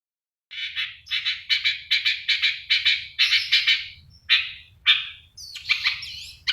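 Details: Long-tailed shrike singing energetically, a song full of rich fill phrases: a run of harsh, buzzy high notes repeated about every third of a second, then varied squeaky chirps and whistled slurs.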